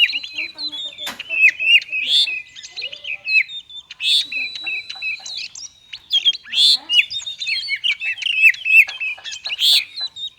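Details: Oriental magpie-robin (kacer) performing its 'konslet' song, meant to provoke reluctant birds into singing: a continuous jumble of sharp whistles, clicks and warbling notes, with loud emphatic bursts recurring every two to three seconds.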